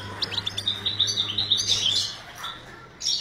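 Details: European goldfinch during breeding in a breeding cage, giving rapid twittering chirps and trills high in pitch, with a steady low hum underneath and a brief pause near the end.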